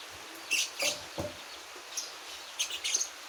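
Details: Javan white-eye, one month old and practising its song, gives a few sharp, high tweets spaced apart, with soft low knocks between the notes and quiet background noise.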